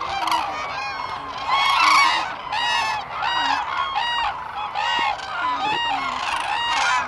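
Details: Common cranes, Lake Hornborgasjon, Sweden, April 2017: a crowd calling in bursts of resonant trumpeting notes, each burst about a second long, overlapping continuously.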